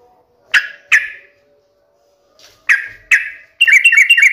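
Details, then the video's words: Energetic sooty-headed bulbul serving as a lure so a kept bird replies. Two pairs of harsh scratchy chack notes, then a quick chattering warble of rapidly repeated notes to the end. "pancingan trucukan gacor"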